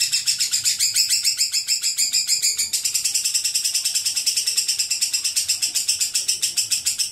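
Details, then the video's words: Lovebird in a long ngekek chatter; a continuous, shrill, rasping rattle of rapid pulses, roughly three per second, sustained steadily throughout with no pause. "Suara Burung Lovebird ngekek panjang"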